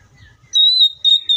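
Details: Oriental magpie-robin holding a clear, level whistle, briefly broken and then resumed.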